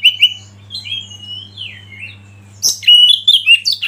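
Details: Oriental magpie-robin acting as a lead bird to excite others into song: soft drawn-out whistles and slurs, then an abrupt loud burst of sharp, high notes and rapid whistled phrases.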